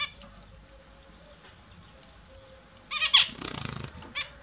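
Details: Pet Australian zebra finches taking a morning bath give a quick burst of nasal, buzzy, trumpet-like calls near the end, after a quiet stretch, with light splashing of water.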